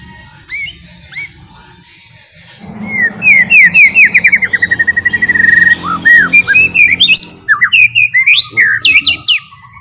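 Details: White-rumped shama in ngeriwik style, used to coax other shamas into song: a few faint early notes, then a long fast rattle of slurred whistles, about eight per second, ending in varied rising phrases.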